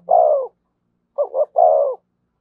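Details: Spotted dove singing in the thổ voice with thúc and kèm styles: a long, low falling coo, a pause, then two short notes leading into another drawn-out descending coo.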